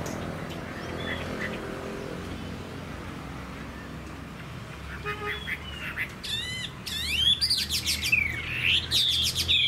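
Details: Caged Chinese hwamei, kept for its singing, is quiet at first amid low background noise, then bursts into loud looping whistles and sweeping slurred notes in the last few seconds.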